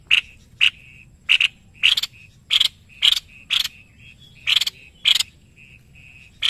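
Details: Sharp, explosive chips from a white-bibbed babbler, an Indonesian master songbird, come about twice each second, some doubled. Short level piping whistles fill the gaps between them.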